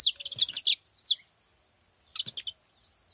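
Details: Saffron finch singing a brief burst of bright, down-slurred high chirps, a pause, one more clear chirp, then a quieter cluster of thin twittering notes.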